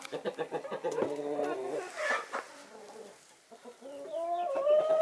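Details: Winter-sun flock of Naked Neck, Marans and Easter Egger chickens: quick repeated clucks open, a stretched harmonic cackle follows, a lull, then rising drawn-out calls at the close.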